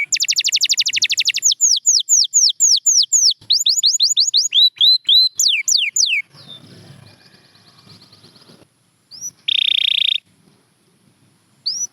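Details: Champion canary song: a very rapid high trill gives way to evenly spaced falling whistled notes. The singing fades into a soft, scratchy lull, then a brief loud buzzy burst and a final chirp.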